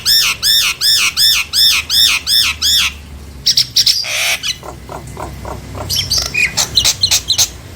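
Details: Nias hill myna meant to make lazy mynas answer and sing: seven loud ringing arched notes in steady sequence over three seconds, followed by harsh squawks and a run of quicker chattering calls.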